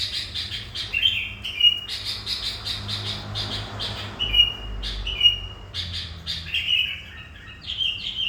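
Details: Sooty-headed bulbul kept as a lure bird, in energetic 'gacor' song credited with luring hundreds of wild bulbuls; short bright whistled phrases and chattering notes in quick bursts with brief pauses, over a low steady hum.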